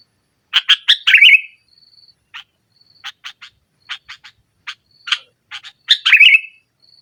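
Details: Sooty-headed bulbul singing vigorously to press a rival, 'nggaruda' style, played to lure a reluctant bird: a quick chirp burst ending in a fluttering trill, a run of single sharp chirps, then another trilled burst.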